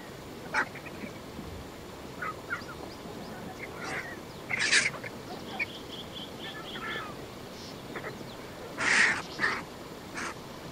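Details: Vultures squabble over a buffalo carcass on the banks of the Shingwedzi river in Kruger National Park; sporadic grating squawks and two loud broadband screeches, with a faint run of high chirps between them.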